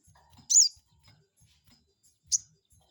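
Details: Lure call of a crested jay, used to provoke a rival into replying: two piercing, high chirps nearly two seconds apart, the first longer and slurred downward, over a quiet background.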